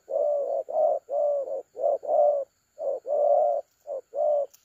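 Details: Spotted dove of the thổ calam calling style, used as a decoy caller, recorded 30 October 2022: rounded low coos in quick series, long and short notes mixed, one brief gap midway; faint constant high-pitched hum.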